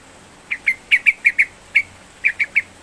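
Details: Yellow-vented bulbul in spirited song, played to stir an unwilling bird to sing: about ten clear, sharp chirps in loose pairs and singles over three seconds.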